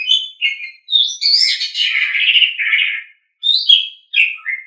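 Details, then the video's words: Asian pied starling tutor song for training kept birds: short whistles lead into a long rasping, warbled phrase, then a pause and several sharp, clear whistled notes. "Masteran Terbaik Jalak Suren"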